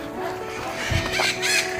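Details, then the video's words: In the Parmadan forest area of Bibhutibhushan Wildlife Sanctuary on 14 February, a Common Myna gives a couple of harsh, grating calls in quick bursts near the end, over a steady low outdoor hum. "শালিক পাখি ডাকছে"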